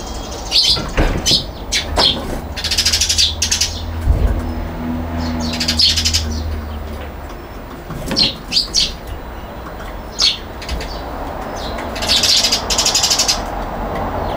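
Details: Eurasian tree sparrow on a balcony in Japan, 22 November 2021, monopolising the spot: short, scratchy chirps in scattered bursts, with a few fluttery wing flaps over a low background hum.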